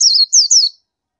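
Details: Indian white-eye giving three brief, high, sliding chirps in under a second, each note falling slightly in pitch.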